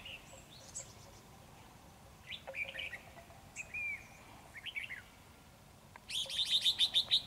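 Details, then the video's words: Red-whiskered bulbul of the Ché type, singing as it fans out and overpowers a decoy bird in a trap. Scattered high whistled and chattering phrases, then a fast run of about eight bright, repeated notes at the end. "Bẫy chào mào Ché căng xòe áp đảo mồi"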